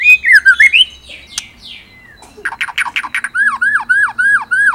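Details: Chattering murai batu (white-rumped shama) from Indonesia: downward-slurred whistles, then a burst of buzzy rasping notes, followed by a series of hooked, whistled notes repeated about twice a second.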